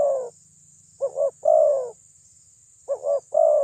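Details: Loud spotted dove calling as a lure to provoke rivals: mellow low coos grouped into repeated phrases, each a quick double note followed by a long held coo, with about two seconds between phrases and a faint whine behind.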